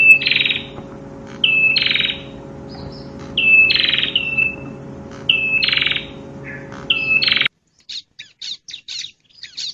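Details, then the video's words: Prinia song: short squeaky whistled phrases, each rising then trailing off, are given every one to two seconds over a steady low mechanical hum. A quick series of high scratchy chips follows once the hum stops. "Suara Burung Perenjak/ Prenjak"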